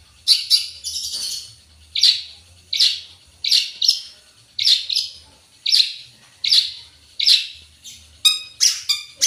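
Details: Long-tailed shrike singing vigorously with isian fill-ins, delivering loud harsh scratchy notes roughly every three quarters of a second, ending in a quicker stuttering burst.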